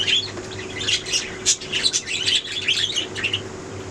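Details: Budgerigar chatter of squawky, buzzy notes and short whistles running together for under four seconds, over a steady low hum.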